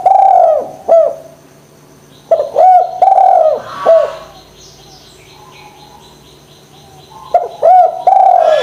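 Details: Spotted dove giving coos to stimulate lazy doves: quick short hoots and long falling coos in two bursts, separated by a stretch of faint high chirping from small birds in the background.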